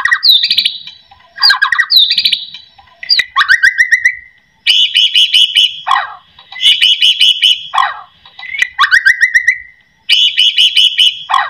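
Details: White-rumped shama singing to stimulate other shamas: loud descending whistled notes, then repeated high rattling trills alternating with long sliding whistles, in phrases roughly every two seconds.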